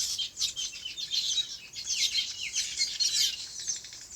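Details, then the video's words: On a farm, birds in their natural habitat chatter in quick, high, overlapping chirps and short descending twitters, rising and falling in loudness throughout. "Relaxing Bird Chirping Sounds"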